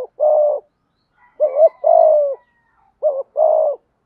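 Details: Thúc gù cooing from a Malaysian-type spotted dove: loud, hollow phrases, each a quick doubled note followed by a sustained coo that sinks at the end. Phrases come in pairs separated by short silences.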